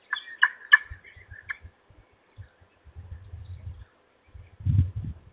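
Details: Peregrine falcons at the nest in Trzebież at evening feeding time, recorded 17-05-21: a rapid run of harsh, chattering squeals, about five loud notes in the first second and a half, then quieter with low thuds and rustling.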